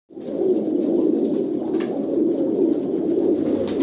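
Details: Kolkata pigeons cooing together, a dense, continuous murmur of low, throaty coos that overlap without pause, with faint clicks and rustles in the background.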